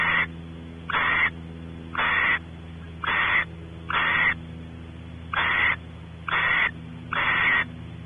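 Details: Barn owls at a nest cavity at Audubon Starr Ranch, California, the male exploring the cavity while the female expects mating; harsh breathy hisses of about half a second, repeated roughly every second, eight in all, over a steady low hum.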